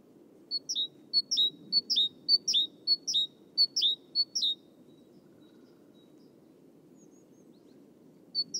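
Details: Great tit (Parus major), song.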